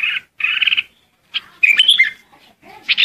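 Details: Red-whiskered bulbul lure song to call the flock: harsh buzzy notes, then a sweet, bubbling whistled phrase, ending with another scratchy note.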